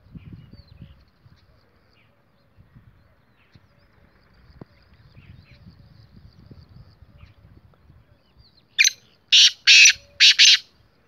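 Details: Kala teetar, the black francolin, gives a sudden burst of four loud, grating, buzzy notes in rapid succession near the end, after a long stretch of faint low background noise.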